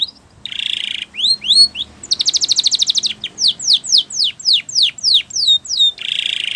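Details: Spanish Timbrado canary song for training: buzzy trill, rising whistles, a long fast metallic trill, a string of descending sweeps repeated about twice a second, and another buzzy roll.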